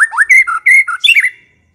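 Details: White-rumped shama sound used for luring the bird into calling and singing: loud, rich whistled phrases with slurred notes and quick varied syllables, ending in a fluty trill within under two seconds.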